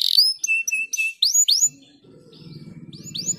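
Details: Caged canary song used to stimulate singing: a buzzy note, clipped flat whistles and two loud upward-curving chirps, then fainter swoops over a low rumbling noise.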